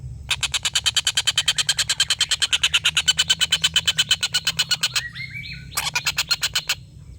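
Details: Collared kingfisher giving its long laughing call, a tutor recording for competition birds: about five seconds of quick, evenly spaced, harsh cackling notes, then brief whistled notes and a short final burst.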